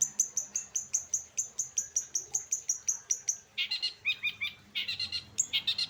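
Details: Long-tailed shrike singing late in the afternoon, starting with a long series of thin, high whistled notes repeated about four times a second, then switching to scratchy, varied chattering phrases.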